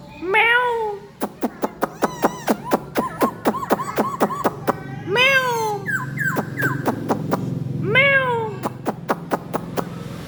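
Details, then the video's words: Four-month-old red-whiskered bulbul singing while displaying its wings and tail: loud rich whistled phrases with downslurred notes, separated by rapid series of sharp clicking ticks, with a low background hum. "bò loang 4 tháng tuổi hót múa cánh đuôi"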